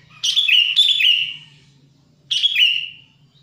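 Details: Sooty-headed bulbul, wild, used to lure wild birds: two loud, slightly buzzy slurred whistles, each starting with a sharp attack and trailing downward, separated by a two-second gap, with faint low hum.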